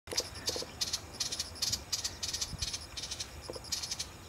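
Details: Thick-billed warbler call notes in southern China, 2 September 2018: dry, harsh clicking notes in short chattering bursts, about two or three bursts a second, over a faint low rumble.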